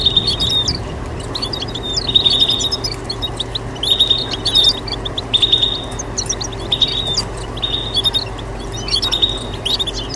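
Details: Goldfinch mules, goldfinch–canary hybrids, twitter with bright, high chirps and short trilled bursts over a faint steady hum.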